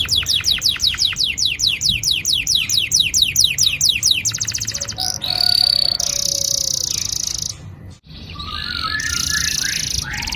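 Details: Canary song for prompting young birds to sing: a fast run of repeated downward-swept whistled notes, then a sustained buzzy high trill, a brief pause and more rattling trills.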